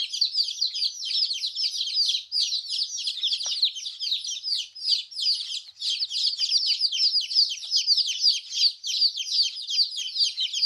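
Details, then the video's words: Chicks of the domestic chicken peeping together: a dense, unbroken chorus of shrill short chirps from several birds, steady throughout with a few brief dips. "Chicks chirping Sound baby chicken"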